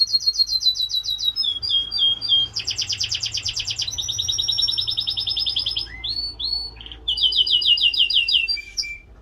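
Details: Canary in Slovenia delivering a long song of trilled tours: fast repeated whistled notes, a loud buzzing roll, a steady rapid trill, then short slurred whistles and another quick repeated phrase.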